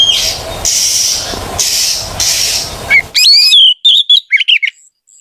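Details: Oriental magpie-robin song meant to prompt silent magpie-robins to sing. Loud hissing buzz gives way to a rapid run of sharp, varied whistled notes and quick trills, then quiet.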